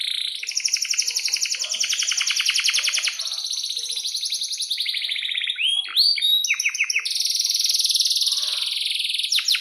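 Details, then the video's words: Canary singing a long, vigorous rolling song: fast buzzy trills of high pulses, then a run of quick downward-swept whistles and sharp chips, then another dense, shrill, rapid roll. "Kenari GACOR PANJANG"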